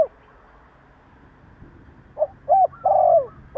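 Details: Spotted dove cooing to provoke other doves: two short low hollow notes, then a longer rolling coo, forming one phrase, over faint steady background hum.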